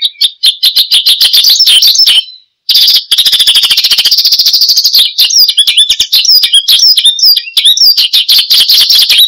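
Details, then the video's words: Branjangan or Oriental skylark singing gacor style as a training sound for cage birds: dense rapid buzzy trills and high chirps running almost continuously, with one short silent break. "Kicau Burung BRANJANGAN Gacor, Untuk Pancingan Dan Masteran"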